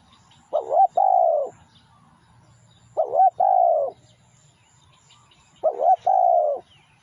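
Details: Lure recording of a spotted dove singing: three low, mellow cooing phrases spaced about two and a half seconds apart, each a quick wobbling note followed by a longer drawn-out coo, in a quiet background.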